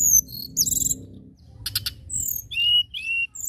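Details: Song of a local common tailorbird: high thin whistles and buzzy notes, a quick burst of sharp chips, then falling whistled slurs, with a soft low hum beneath.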